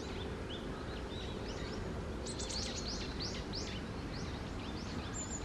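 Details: At Okurayama Park a Japanese tit gives faint scattered notes, then from the middle a clear series of about eight high, arched, down-slurred calls in quick succession, with constant low background noise throughout.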